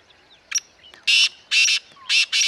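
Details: Black francolin in Corbett Tiger Reserve grassland, Uttarakhand, India: a brief sharp opening note, then four loud, harsh, grating notes delivered as two quick pairs, each note rasping and broad-toned.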